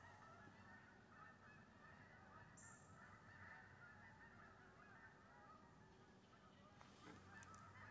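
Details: Geese on an October 25th morning, landing in a wheat pasture, heard from a deer stand: a dense, continuous chorus of overlapping nasal honks from a distant flock, with faint rustling.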